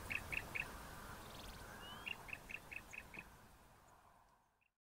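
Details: Bar-throated Apalis pair duetting, the male's part louder and lower in tone: a quick run of three clear, bright notes, a pause of over a second, then six evenly spaced similar notes, fading over low background hiss.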